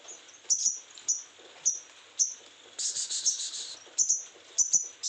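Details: High sharp chips repeated roughly every half second by a sogon in strong breeding condition, interrupted midway by a short pulsed, throbbing trill, then more quick chip pairs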